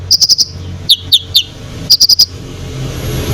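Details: Konin in full song meant to agitate rival birds: rapid trills of four sharp high chips, then three lower slurred notes, then another four-chip burst, with faint low rumble behind.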